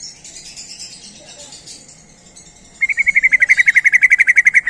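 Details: Sooty-headed bulbul giving a call used to lure other bulbuls: after a quiet start with faint high chirps, a fast, even series of sharp, clipped notes runs for about two seconds, about sixteen per second, with thin high twittering above.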